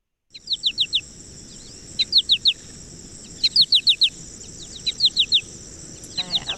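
American Goldfinch flight calls: quick bursts of three or four bright, falling notes, po-ta-to-chip, repeated about every second, over a steady high thin whine.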